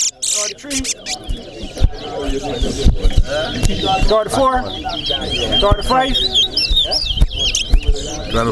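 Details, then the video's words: Chestnut-bellied seed finch (towa towa) at a singing competition in Corriverton: rapid, bright twittering phrases of high chirps and trills under a man's loud counting voice and crowd chatter. "TOWA TOWA BIRD SINGING COMPETITION"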